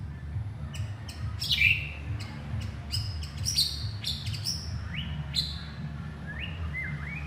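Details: Male white-rumped shama calling its partner: scattered short whistled notes and sharp upslurred chirps spread over several seconds, with a steady low hum underneath.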